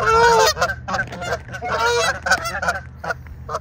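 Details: Fight between Canada goose ganders, March 17, 2023: opens with a loud, long, strained honk, followed by a chaotic string of shorter harsh honks that grow quieter toward the end.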